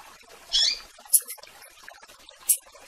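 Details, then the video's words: Rusty-collared seedeater (coleiro) calling for a female: one short buzzy, warbled phrase, then two thin, very high chips about a second and a half apart over faint rustling. "Piando e Chamando Fêmea de Coleiro e Tiziu"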